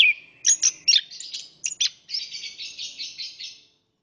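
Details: Male orange-headed thrush singing rapid sharp chirps and stuttered notes, then a buzzy rolling trill of repeated pulses that fades out after about three and a half seconds, in otherwise quiet surroundings.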